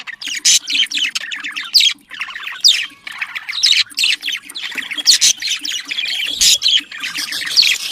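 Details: Domestic budgerigars' mating chatter meant to get them breeding: a steady stream of rapid chirps, squeaky rising notes and harsh squawks, barely pausing, over a faint low drone.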